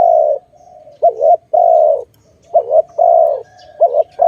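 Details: A dove linked to bird trapping repeats paired coos, a short undulating note followed by a longer flat one, steadily over four seconds against a quiet low hum.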